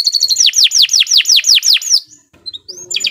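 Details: Canary song recorded as a long master track for training captive birds: a fast run of about seven loud, high, downward-swept whistled notes each second, then a short pause and a softer, buzzy trill.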